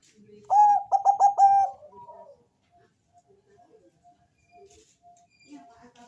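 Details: Lure song of a Bangkok-type zebra dove with a full, bass-heavy voice: a loud run of quick stuttered coos lasting about a second, then faint soft coo notes and quiet background sounds.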